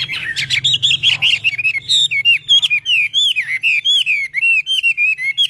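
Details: Chinese hwamei in voice training, delivering a rich run of looping, wavering whistles with fast changes of pitch and rhythm, preceded by quick chattering notes, a faint low hum underneath.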